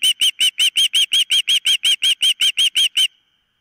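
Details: Osprey at its nest, caught on a nest camera, giving a steady run of about fifteen loud, piercing chirps at roughly four per second before falling silent.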